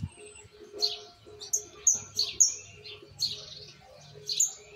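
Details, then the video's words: Fledgling Argentine white jilguero singing misisipi style, still imperfect: separate sharp, high whistled notes and short chirps spaced about half a second apart, over a soft low hum. "Pichón el misisipi, con cositas por corregir pero la base está."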